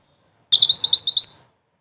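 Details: Mantenan, a bird kept as a singing model for ngerol tembak songbirds, gives one brisk burst of high, sharp twitters, around ten notes in under a second.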